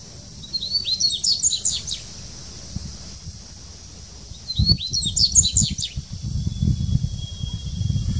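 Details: Dubois's seedeater singing at Sao Paulo Botanical Garden, Brazil, in 2019: two short phrases of bright, rapid whistled and twittering notes, the first near one second and the second near five seconds, over low background rumble.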